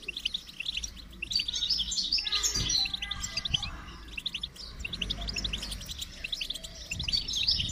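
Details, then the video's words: Goldfinch song of rapid, sparkling twitters and chirps over a low rumbling background hum, the high notes crowding together in busy bursts. "Motivating Song of the Goldfinch"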